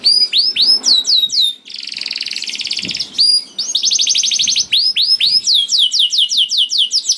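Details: Canary singing to prompt hesitant canaries: looping upward-hooked whistles, a dense buzzy trill, more hooked notes, a second fast buzzing roll, then a run of clear swooping notes.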